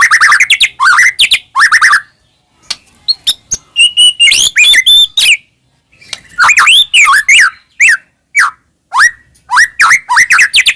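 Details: White-rumped shama singing loudly, a lure to make caged birds sing: bursts of rich whistled phrases, rising sweeps and rapid repeated notes, separated by short pauses.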